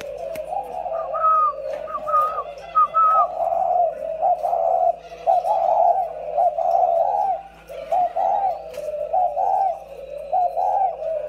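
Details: Caged decoy spotted doves, two birds, repeat deep, rolling coos in clustered bursts, joined early by three short, higher whistled notes, with a low indoor hum throughout.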